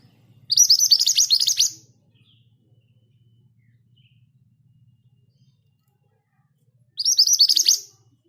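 Scarlet minivet giving two quick, high, rolling bursts of thin chirping notes about six seconds apart, over a faint low hum.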